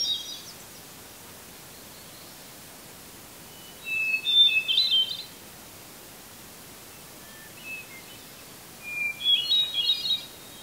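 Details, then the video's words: Wild hermit thrush in a red pine at Eustis, Maine, 8:12 PM just before sunset, 18 July 2020: three separate phrases a few seconds apart, each opening on a clear held whistle and breaking into higher, ethereal fluting notes, in a quiet background. "Hermit Thrush 🎶🐦 Singing in a Red Pine Tree in Eustis ⛰ Maine 🌲"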